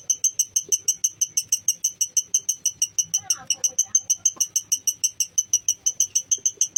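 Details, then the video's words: Lovebird chattering in a long, clear ngekek to rouse fighting spirit in other birds: shrill, evenly spaced rasping notes about three per second, with faint rustling and a soft voice briefly in the background. "Masteran love Bird mancing emosi love Bird kalain auto emosi bikin figter naik"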